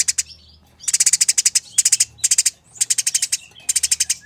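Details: Eurasian tree sparrows fighting give harsh, rapid, clear chattering: five tight bursts of buzzy notes, each about half a second long and separated by brief gaps, with faint thinner chirps between them.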